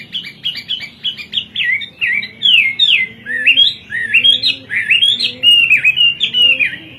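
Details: Energetic 'kowor kowor' singing from a Hwamei, the bird imported from China for its varied, melodious voice: quick choppy notes give way to long looping slurred whistles, steady throughout, with a low background hum.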